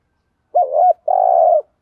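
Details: Spotted dove coo in thúc gù style, thổ voice: a single clean phrase, a rising-falling double hoot then a long rough-textured coo held about half a second, with silence around it.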